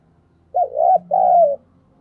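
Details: Lure spotted dove with a thổ-style voice, cooing to provoke other doves: one mellow phrase of a short dipping note followed by a longer, slowly falling coo.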